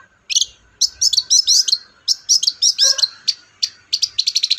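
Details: Long-tailed shrike song meant to prompt another shrike to sing: quick clusters of high, sharp chirps and twangy notes, ending in a rapid string of short tweets.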